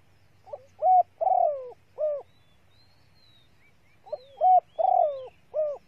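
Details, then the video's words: Female spotted dove calling to excite and lure males: two phrases of low hollow coos, a short lead-in, two strong notes and a longer falling coo, then a final coo, separated by a brief pause; faint thin whistles above. "TIẾNG CU GÁY MÁI SIÊU NHẠY DÙNG KÍCH BỔI KHÓ TÍNH | CU GÁY MÁI KÍCH TRỐNG NHANH NỔI"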